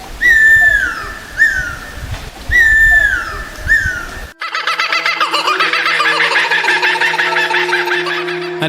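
Laughing Kookaburra breaks into a dense, rapid cackling laugh in the second half, after a few clear, falling whistles from another bird; a low steady hum runs underneath.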